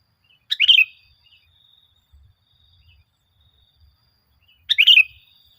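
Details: Sooty-headed bulbul song in a lure recording to stir kept bulbuls into singing: two brief, bright, bubbly phrases about four seconds apart, separated by near silence.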